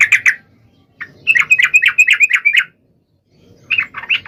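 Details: Sooty-headed bulbul singing loudly to provoke a rival: a couple of chirps, then a quick run of bubbly, even liquid notes, silence, and a shorter warbled phrase.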